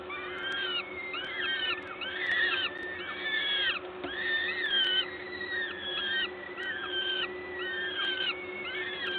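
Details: Peregrine falcons at a nest in Gdańsk, Poland, on 14 May 2022 during an adult's feeding visit. Overlapping arched whining calls are repeated roughly once a second over a constant mechanical hum.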